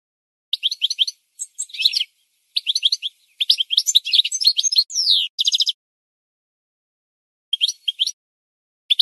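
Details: Goldfinch song used for training other birds to learn: bursts of high twittering phrases with rapid chirps, a downward sweeping note and a buzzy repeated note, separated by short pauses, with a clean, silent background.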